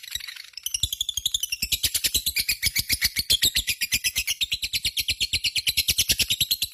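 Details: Lovebird in full voice giving a long 'ngekek' run: dense, rapid, high-pitched rattling notes repeated steadily for over six seconds after a short scratchy opening.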